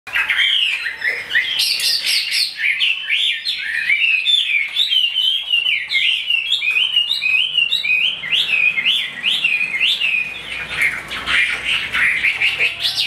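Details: A tame captive Chinese hwamei pours out a loud, rich song of varied whistles and rapid trills.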